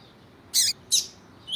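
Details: A double-collared seedeater (Sporophila caerulescens) sings tutor song meant to stimulate other males: two bright, high, buzzy-chirped notes about a third of a second apart, then a thin rising whistle.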